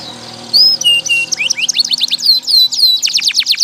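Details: Canary song as a stimulus for canaries that have stopped singing or sing little, also a tutor for young birds aged two to four months; sweet slurred whistles building into quick repeated chips and sweeps.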